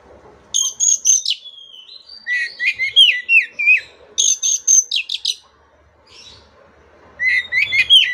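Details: Oriental magpie-robin song meant to restart singing in a silent bird: rapid bursts of high scratchy chattering mixed with slurred whistled phrases, delivered in loud clusters with a short pause before resuming.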